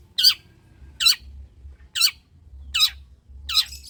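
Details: Long-tailed shrike giving loud grating squawks, each a rough downward-slurring rasp, five in quick succession under a second apart; recording meant to coax silent shrikes into song; faint low hum beneath.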